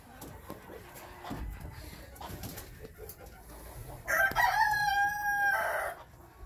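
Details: Captive chukar partridges raised this year, kept for breeding next spring or for meat, give soft short repeated notes, then a loud, sustained harmonic call of about a second and a half, with pen rustling and knocks.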